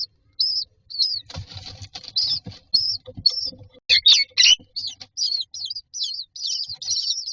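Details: Common myna chicks standing in a row in a nest box waiting for food give short high rasping begging notes amid clicking and tapping noises, becoming a denser chatter toward the end.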